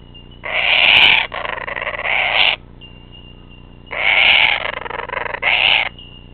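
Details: A kookaburra, apparently attacking, gives harsh, raspy screeching bursts in two pairs, each burst about a second long, with a quiet pause between the pairs.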